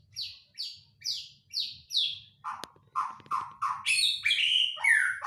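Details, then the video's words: White-rumped shama singing, used as a lure to prompt a shama to sing: five evenly spaced, descending high notes, then lower, fuller repeated phrases and a sharp click, ending in a rapid jumble of varied whistles. "Mancing suara burung murai batu"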